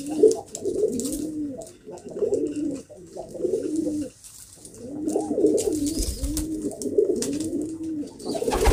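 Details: Pigeons (kobutor) in a loft give repeated low, bubbling, arched coos in two runs separated by a short pause, several birds overlapping; soft rustling and faint chirps in the background.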